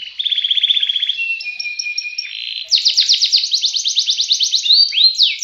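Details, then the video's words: Canary singing a long, rich song: fast rattled trills, a long steady whistled note, then rapid descending sweeps and rising slurred notes, all loud and clear with no other sounds. "Ngerek ngacor panjang mewah"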